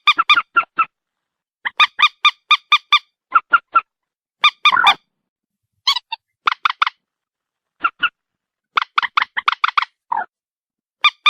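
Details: White-breasted waterhen calling in rapid clusters of nasal, honking croaks, mostly three to five notes per burst with short gaps, continuing steadily over eleven seconds against a silent background.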